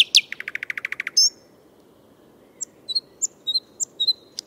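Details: A thrush nightingale singing in Moscow, a nocturnal singer also heard at dusk, opens with a fast, even run of about ten knocking notes, then a brief high whistle, followed by scattered sharp, high piping notes.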